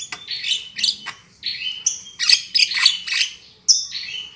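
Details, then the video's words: Javan myna voice used as a trapping lure. Raspy calls are interleaved with steady whistled tones, then a quick string of harsh notes and a closing buzzy whistle. "SUARA BURUNG JALAK KEBU"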